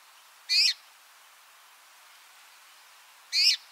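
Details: A Red-mantled Rosefinch (Carpodacus rhodochlamys) gives two short, bright, slightly descending call notes about three seconds apart, against a quiet background hiss.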